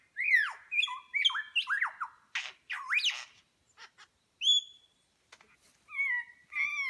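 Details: Superb lyrebird in New England National Park, NSW, Australia, mimicking other bird calls while displaying its tail feathers: rapid loud sweeping whistles and slurred notes, then pure ringing tones and repeated two-part whistled phrases, in quiet surroundings.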